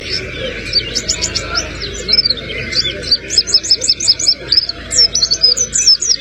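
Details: White-eye singing in a song style filled with sogon imitations: a fast, continuous stream of high, sharp chirps and thin downslurred twitters, bright and busy throughout, over a steady low background hum.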